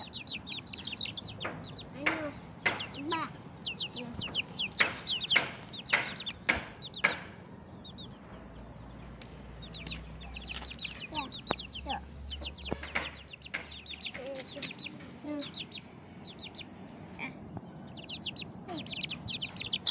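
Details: Bangkok chicken chicks out in the morning sunshine peep constantly, with shrill, thin, down-slurred notes tumbling over one another.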